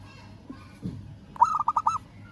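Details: A local zebra dove calls a rival: after a faint low thump, one rapid phrase of about five short, rolling coo notes, the final one a little longer.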